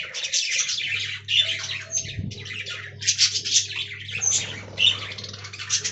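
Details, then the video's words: Budgies kept as a colony in an aviary give continuous squawky, twittering chatter with sharp whistled peaks scattered throughout, many birds calling at once above a faint steady hum. "Budgie Talking Compilation"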